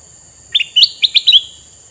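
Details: Male red-eyed sooty-headed bulbul, used as a lure for wild bulbuls, giving a short phrase of about six quick, bright chirped notes against a steady high background tone.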